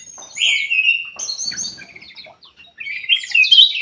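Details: Golden-fronted leafbird song: a strong whistled note, then a rapid jumble of high twitters and a faint rattle. A second bright, chattering phrase follows after a short gap.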